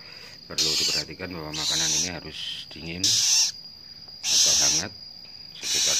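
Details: Cockatoo hatchling being hand-fed utters hissing, raspy bursts of about half a second, repeated irregularly, while a person talks steadily between and beneath them.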